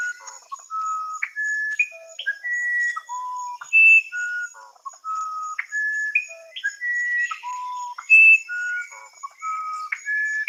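Musician wren song: pure, flute-like whistled notes at shifting pitches, each held briefly, strung into a slow, melodic series with short buzzy chatter between phrases.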